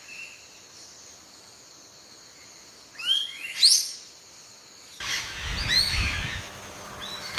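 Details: Yellow-bellied bulbul parents protecting their nestlings from attacking ants: two sharp rising whistled calls in quick succession, then a noisier stretch with another thin upslurred note over rustling.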